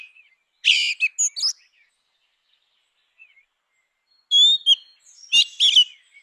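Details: Grey-winged blackbird song: a dense burst of scratchy, chattering notes with clear whistles, a pause, then another phrase of high fluted whistles mixed with scratchy twitters.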